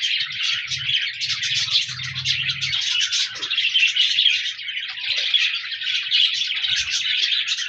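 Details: Dense budgerigar chatter recorded 14 January 2024: rapid chirps and squeaky whistles overlap continuously, with a low hum in the first three seconds and a soft knock near the end.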